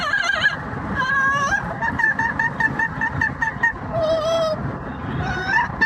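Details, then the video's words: Yellow-naped amazon parrot making noise on a commute, kept as a pet: loud nasal harmonic notes, a long held tone, then a quick string of short repeated hoots and a drawn-out wail, with road noise beneath. "the Parrot singing opera and making noise for the commute"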